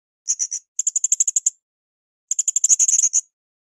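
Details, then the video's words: Blue-crowned hanging parrot on a cage-bird training recording: three quick runs of shrill, high-pitched chipping notes, the last run fastest and densest, separated by brief silences. "SUARA MASTERAN BURUNG SRINDIT GACOR"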